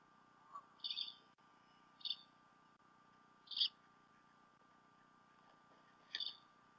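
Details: Adult bald eagles together at the Decorah North nest on 28 February 2016, late morning into early afternoon, on a nest cam; four high, squeaky chirps, some doubled, spaced one to two seconds apart over a steady background hum.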